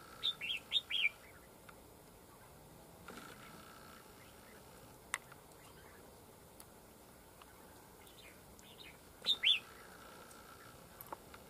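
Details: Red-whiskered bulbul at a decoy fight-trap, a fierce wild bird responding fast over territory: a rapid burst of sharp, warbling notes opens the recording, then a long quiet stretch before a second lively warbled burst near the end.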